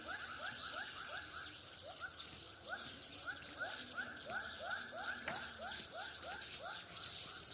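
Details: Swiftlets calling in a Pekanbaru swiftlet house, with short rising chirps in a regular rhythm over continuous high twittering and a brief click partway through.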